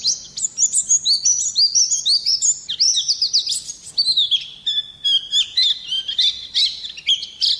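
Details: Oriental white-eye song used for luring and tutoring other birds: a continuous, lively high warble of slurred whistles and rapid twittering notes, slightly lower toward the end.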